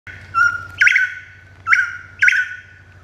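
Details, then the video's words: A male Crimson-headed Partridge crows, giving three loud, harsh notes over a sustained mid-pitched tone against a faint low hum, then races off to find an intruder. "Crimson-headed Partridge"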